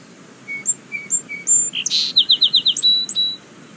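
A Song Sparrow sings: three clear introductory notes, a buzzy burst, then a quick rattling trill of about five notes and a few closing notes.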